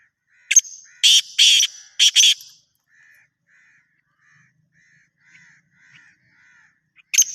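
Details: Black francolin calling: a sharp click, then three loud, harsh, grating buzzy bursts in quick succession, followed by a run of soft, short whistled notes and another harsh burst at the end.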